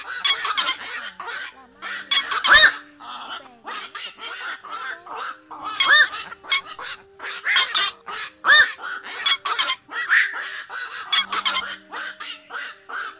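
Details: A chorus of black-crowned night herons calling the flock, played to lure birds into night nets in 2024: continuous harsh, grating barks tumbling over one another, louder squawks every few seconds, with low humming tones underneath.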